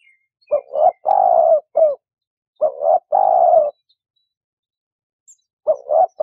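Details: A dove repeats a low cooing phrase three times, each a quick double note, a drawn-out steady coo and a short closing note, separated by brief pauses.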